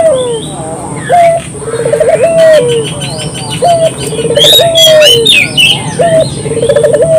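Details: Local collared dove used as a lure: rhythmic low coos with rolling pulsed runs and falling held notes, repeated about every two and a half seconds, while small birds chirp and twitter higher above.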